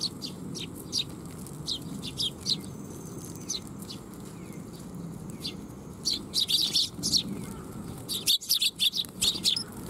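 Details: A group of Eurasian tree sparrows gathering at a shrine to be fed, recorded July 12, 2021; sparse high chirps at first, then a busy cluster of overlapping chirps in the last seconds, with a constant low hum.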